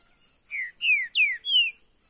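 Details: A caged green-winged saltator sings one brisk phrase: four loud, pure whistles, each falling in pitch, evenly spaced over about a second and a half, in near silence.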